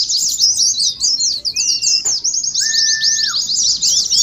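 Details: Unbroken, very high, fast twittering of Oriental white-eyes in ngeriwik style, for training and contest simulation, with a short level whistle early on and a longer one in the second half.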